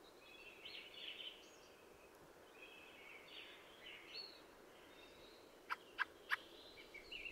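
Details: Quiet scratchy warbling from a Fieldfare (Turdus pilaris), its squeaky phrases low against background hiss, closing with three sharp chack notes in quick succession.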